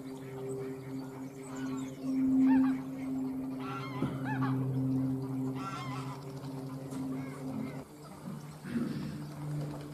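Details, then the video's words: Greylag goose giving loud, nasal honks in short bursts every second or two, over a steady low mechanical hum. "Ánsar común (Anser anser) Greylag Goose"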